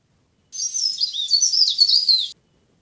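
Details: Leaf warbler used as a trapping lure, giving a continuous two-second stream of thin, high twittering notes that waver up and down over a faint hiss.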